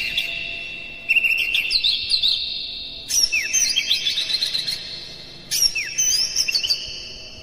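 An Oriental magpie-robin sings three bursts of rich, varied whistled phrases, with quick sweeping notes and chattering trills about every two seconds.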